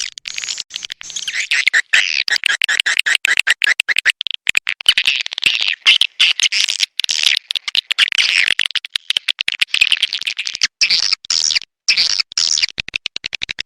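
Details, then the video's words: Edible-nest swiftlet attraction call named A Leyung: high chirps and twitters in rapid choppy pulses, building into denser chatter and then stuttering bursts near the end. "SP.PANGGIL SUARA WALET A LEYUNG"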